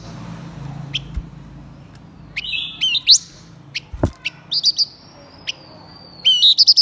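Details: Blue-winged minla male and female singing as a decoy to excite wild birds: thin high whistles, buzzy rising sweeps and a drawn-out wavering whistle, with quick clicking notes and faint background noise.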